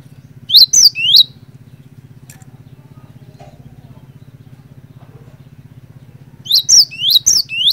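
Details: Lure song of a cinereous tit to spark other tits into singing. A short burst of three upslurred whistles gives way to near silence with faint hum, then a fresh rapid phrase of rising notes.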